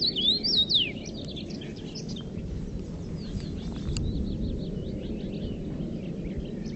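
Common redpolls give quick, high twittering chips and short buzzy notes, several birds calling at once, over a steady low rumble of wind or distant traffic.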